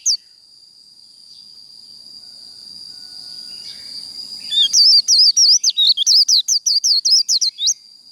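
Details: Japanese white-eye in 'líu đấu' fighting song, used to excite white-eyes into singing: after quiet twittering, a loud run of rapid, high, squeaky trilled phrases pours out for about three seconds over a constant thin high whine.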